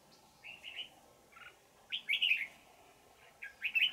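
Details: An old wild red-whiskered bulbul with a twisting, bell-like voice sings during decoy trapping in Vietnam on 20 December 2018; a short warble, a lower note, then two strong, fast, bubbling phrases.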